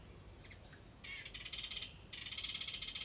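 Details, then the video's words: A wren by a birdhouse: a couple of brief high notes, then two long buzzy rattling chatters in quick succession, with low background noise. "Listen close & you can hear the wren say she likes this house"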